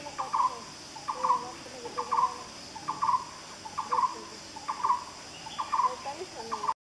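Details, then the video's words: In Malaysian rainforest, a black-browed barbet sings, repeating a short, throaty trilled phrase about every 0.8 seconds, steady and mid-pitched, over a soft background of insects and distant birds. "Black-browed Barbet Singing"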